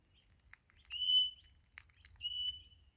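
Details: Wild Crimson Rosella parrot in Australia that visits almost every morning and seems to call out for food. Two clear, drawn-out whistles hold a steady pitch, with a short sharp note between them and a faint low rumble beneath.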